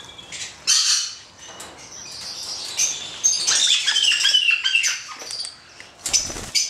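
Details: Captive black-headed caique, a hand-reared male, producing scratchy, irregular high squawks and chattering calls, some sliding downward, with a loud burst near the end.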